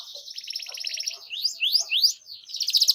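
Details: A gacor canary pours out a tutoring lure for young birds: a rapid buzzy trill followed by three sharp upswept-then-falling whistles and a closing roll.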